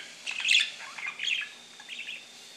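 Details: Pet male budgerigar singing, with a second budgie nearby: a quick run of bright, scratchy chirps and chattering warbles.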